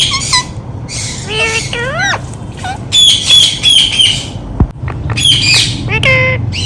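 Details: Rose-ringed parakeet chattering in mimicked speech: quick rising and falling syllables mixed with loud raspy squawks and bursts, irregularly spaced, against a continuous low hum.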